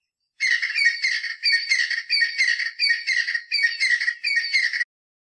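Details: Southern African Crested Francolin giving a harsh, rattling, chattering call, a burst of scratchy phrases repeated about every half second for four seconds, with nothing else heard.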